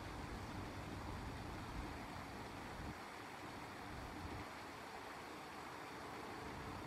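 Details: Steady broadband rumble of passing road vehicles with continuous traffic hiss and no animal voices.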